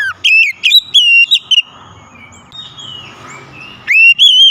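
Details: Loud oriental magpie-robin song meant to coax a quiet bird into singing, with a quick run of short bright whistles, then a lull with a low background hum, then another ringing whistled phrase.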